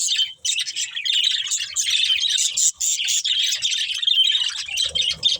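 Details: Budgerigars, a breeding pair of love birds, chirping continuously in dense, buzzy, high warbled chatter with scratchy notes running almost without pause.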